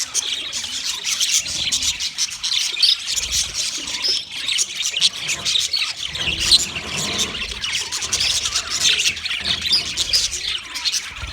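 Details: Chattering of white male budgies during mating, a steady stream of high squeaky chirps and scratchy warbles from several overlapping birds, with faint low knocks in the background.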